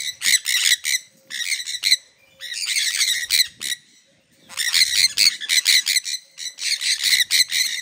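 Sun conures give loud, harsh, high-pitched screeches in rapid repeated bursts.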